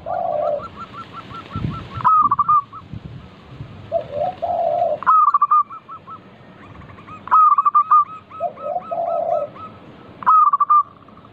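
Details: Lure recording of a chatty local zebra dove to make others sing quickly: staccato trilled coos end in a bright rolled phrase, interleaved with lower, mellow cooing notes, with faint rustling in the background.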